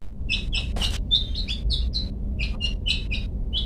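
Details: Long-tailed shrike in the "toet toet" song style, used as a master recording for training pet birds: sharp chirped notes around mid-high pitch, delivered in quick clusters of two or three with short gaps, over a low background rumble.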